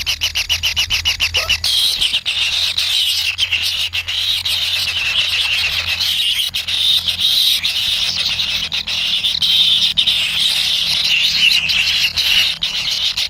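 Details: Kingfisher chicks call from the nest while awaiting food from their parent. A fast, regular train of ticks opens the recording, then a sustained high, sibilant buzzing churr continues throughout.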